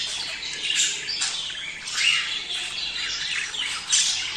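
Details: Budgerigar mating chatter for motivating pairs to breed: busy, scratchy warbles and quick chirps layered together, with louder bursts around two seconds and near the end.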